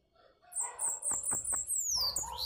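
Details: Bananaquit singing a very high, wheezy trill of fast repeated notes that ends in a long descending sweep, with soft thumping clicks beneath.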